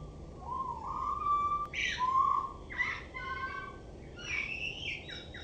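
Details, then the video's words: Common blackbird singing from a roof gutter: rich, fluting whistled phrases at mid pitch, a low rising slur followed by warbled notes and higher squeaky twitters toward the end, with steady background hiss. "Turdus Merula ad Dachrinnem meam!"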